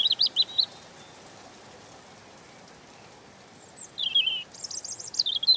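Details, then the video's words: Gentle song of a European robin: a short burst of high wavering notes, several seconds of quiet, then two more thin, sweet phrases of rapid trills and downward slurs against a soft hiss. "Ласковое пение Зарянки(малиновки)"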